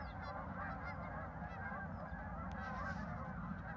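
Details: Farm park geese, 10 November 2024, give a brief dense chorus of honks, many birds calling at once over steady low background noise.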